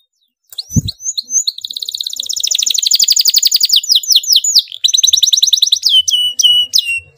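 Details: Canary in a heated, close-packed rolling song meant to make other canaries answer: a thump, quick slurred notes, a long very rapid rattling trill that grows louder, a run of falling slurs, then crisp sharp rising notes.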